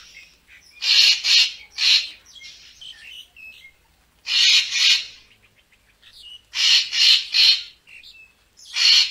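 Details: Racket-tailed treepie, a recording meant to lure birds for photography: loud, harsh, grating calls in clusters of two or three bursts, separated by softer chatter and brief whistled notes, repeated through the recording.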